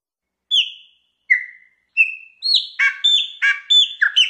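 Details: Chopi blackbird, canto mateiro mineiro wild song: three separate clear falling whistles, then faster rich notes with buzzy undertones repeated about once every half second.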